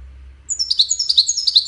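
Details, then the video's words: A European goldfinch in Widani song gives a short, lively sequence of sharp, high tinkling chirps, about a dozen quick notes in just over a second, over a faint low hum. "طائر الحسون الويداني"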